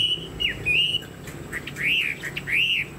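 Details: Kept Chinese hwamei from Vietnam, fan-tailed and upright in posture, delivering clear arching whistles, each rising then falling, spaced by brief pauses and soft chips.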